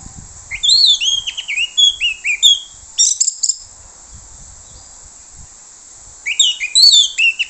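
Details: Orange-headed thrush song used as a lure to draw other thrushes, given in two bursts of loud whistled and slurred notes, mostly high and falling, separated by a pause.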